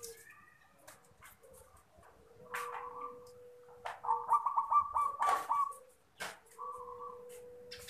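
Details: Singing zebra dove used to lure wild birds: a quick run of staccato rolling coos near the middle, short cooing phrases before and after, and a steady lower whistle-like tone in the background.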